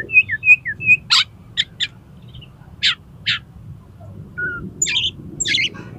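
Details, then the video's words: Oriental magpie-robin used as a tutor recording for contest birds. Three repeated high whistles, then harsh broadband chacks, a low whistled note and raspy phrases near the end. "SUARA KACER INI COCOK UNTUK MASTERAN DAN PANCINGAN KACER LOMBA AGAR MAU BUKA PARUH"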